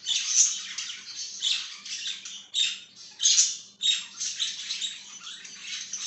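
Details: Pet budgerigar chattering nonstop, a dense run of harsh, high, squawky chirps and warbles in pulsing waves, with a faint low hum beneath.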